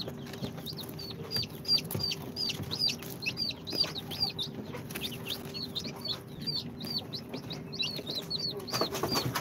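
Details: Incubator-hatched chicks on day two, mixed Sultan, Golden Sebright, Cochin and booted breeds, peeping almost nonstop: shrill descending chirps about three per second from several birds at once, with a constant low electrical hum underneath.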